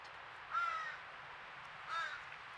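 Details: Young crow begging at a squirrel feeder in Nova Scotia, Canada, after its family chased off a squirrel; two loud, drawn-out nasal caws about one and a half seconds apart.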